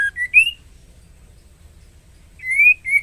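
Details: Breeding female White-rumped shama calling to a male, giving two short whistled phrases, each a few rising clear notes, separated by nearly two seconds of quiet.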